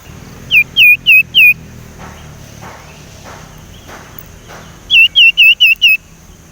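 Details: Young Sumatran leafbird chattering and learning to whistle: a burst of four loud, clear, hooked down-slurred whistles, a pause with faint soft sounds, then five more rapid matching whistles, over a faint steady high hiss.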